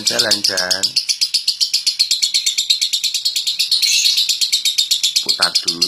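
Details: Indonesian competition lovebird from Central Java, known at local and national shows, singing a long rapid high rattling trill at about four pulses a second, with a man's short remarks at the start and end.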